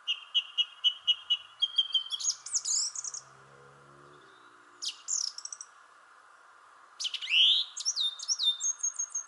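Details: Thrush singing from a shrubbery tree: a rapid string of repeated notes, then rich whistled and trilled phrases, a pause, and another loud varied phrase ending in quick repeated notes, over a steady hum.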